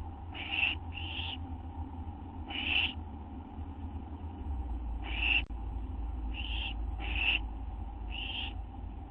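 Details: Night-time food delivery at an owl nest, 6 September 2011; a run of seven rasping, breathy screeches, some in quick pairs, with a steady low electrical hum beneath.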